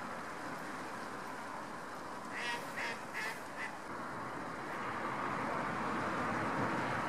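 A mute swan gives a brief run of four or five hoarse, nasal notes in quick succession over a steady rushing background of wind or water.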